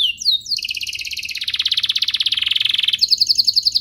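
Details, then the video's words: Master song of a domestic canary for teaching young birds and coaxing canaries into singing: opening high slurs lead into a long, rapid, pulsed rolling trill that ends in a very high, fast twitter. "Suaranya MUDAH DITIRU, Efektif untuk Masteran Kenari Paud dan Pancingan kenari biar gacor"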